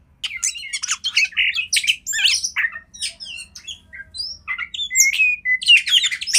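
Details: Master-training song of a kacer (Oriental magpie-robin): a continuous jumble of harsh chatters, squeaky notes and short rising whistles, lively and richly varied throughout.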